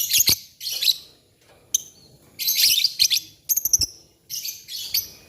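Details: Morning lovebird song with birds replying to each other, dense raspy high-pitched chatter in loud bursts broken by short pauses, interspersed with sharp clicks and squeaky notes.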